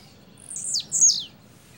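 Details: A blue-black grassquit sings one double song. Two quick, high, buzzy notes each slide steeply down, the second slightly louder, against quiet background.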